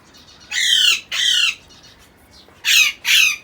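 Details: A six-month-old African Congo grey parrot chick in Karachi gives four loud, harsh, raspy squawks in two pairs, each about half a second long, in a quiet room.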